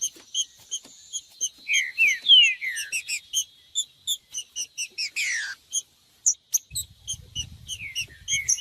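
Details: Green-winged saltator song for warming up a cold bird before tournaments: a few falling whistles early, a buzzy sweep near five seconds, short silence, then scattered chirps over a low rumble.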